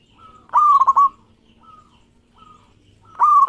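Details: Local zebra dove singing vigorously, recorded as a lure to stir other doves: two loud cooing phrases near 0.5 and 3.2 seconds, each a sustained tone broken by quick staccato pulses, with faint softer coos echoing between them.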